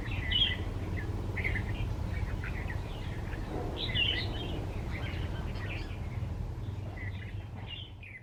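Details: Singing Red-vented bulbul perched among wildflowers, recorded on a short birding trip: repeated short, cheerful chirping phrases scattered through the clip, with a loud low-pitched rumble of background noise throughout.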